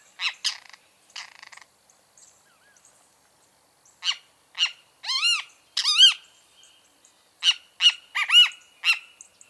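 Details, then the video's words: Great kiskadee with a series of scratchy, nasal, arched calls, scattered at first, then grouped into quick two- and three-note phrases toward the end. "O CANTO DO BEM-TE-VI (Pitangus sulphuratus)"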